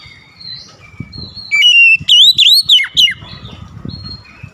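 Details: Oriental magpie-robin in full song, meant to set off quick replies: one loud phrase of about five ringing whistled notes that bend up and down, with soft warbles and low rumbling noise behind.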